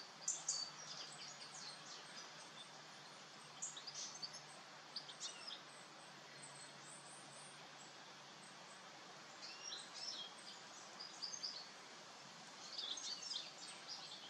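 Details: Brambling (Fringilla montifringilla) calling on 17 November: bursts of high, thin chirping calls in quick clusters, several seconds apart, over a steady background hiss.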